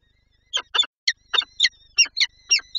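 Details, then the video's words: Female peregrine falcon at Lublin, Poland, 23 April 2024, calling as she seeks to feed her young: a quick series of about ten short, harsh, clipped notes following brief silence. "Sokół- Lublin- Wrotka chce nakarmić dzieci"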